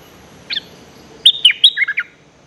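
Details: Decoy bulbul song meant to draw rival birds into a fight: one short whistled note, then a fast phrase of five or six clear, slurred whistles stepping downward, against low background noise.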